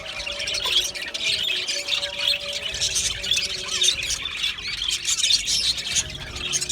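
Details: Dense high warbling and scratchy chirps pour from a colony of Australian budgies in an aviary, with a low continuous hum running underneath.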